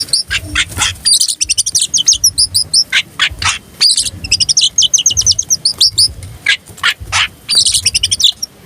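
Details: Tame oriental magpie-robin, a lively singer with its tail spread, used to provoke rival birds: dense, varied bursts of high chirps, trills and whistled notes, broken by short scratchy noisy notes, with faint low hum beneath.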